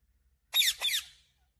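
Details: A talking parrot kept as a pet, trained to say "mummy papa", gives two quick raspy high syllables with a trailing fade, the second slightly softer, indoors with no other sounds.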